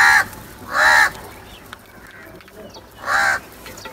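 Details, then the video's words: A crow gives three harsh, hoarse caws, two close together at the start and one more after a gap of about two seconds, with a soft background hiss. "Crow sounds | کوے کی آواز"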